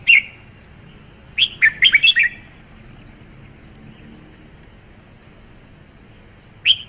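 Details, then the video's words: A short loud whistle from a red-whiskered bulbul, then a tumbling phrase of five or six slurred whistled notes, a long quiet gap, and another single whistle. "Tiếng chim chào mào"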